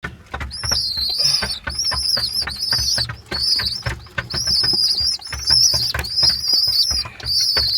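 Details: Two baby pigeons (squabs) make continuous "chu-chu" squeaks, high, thin, slightly rising squeals at three to four per second, over soft background rustling and low hum.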